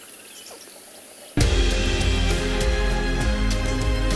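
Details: Loud music bursts in after a second and a half of quiet outdoor background, with strong low bass and steady beats and no animal voice standing out.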